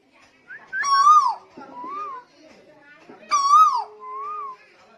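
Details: Energetic song of a tuwu from Lombok: two phrases about two and a half seconds apart, each a bright falling whistle trailed by a gentle wavering tail, over faint clatter.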